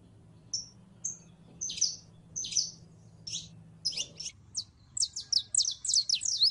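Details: Female canary in heat calling to a male to mate: sparse high thin chirps at first, then speeding into a rapid series of sharp, downward-slurred tweets near the end, over a faint low hum.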